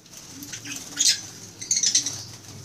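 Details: Eye-ring African lovebirds (Agapornis) kept in a small aviary in the Philippines, recorded May 17, 2015: two bursts of shrill, high chirping calls, the second a quick run of several squeaks, over a low steady hum.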